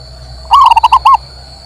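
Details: Local male zebra dove singing, played to stimulate a silent bird to sing: one short phrase of about six quick, mellow cooing notes, the first note rising, then rapid even beats. A steady high electrical tone hums behind it.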